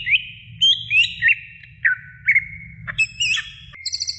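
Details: Greater green leafbird singing a training song for other birds: rapid whistled and chirped phrases with looping slurs, a burst of higher scratchy notes, then a quick repeated series of high ticks at the end.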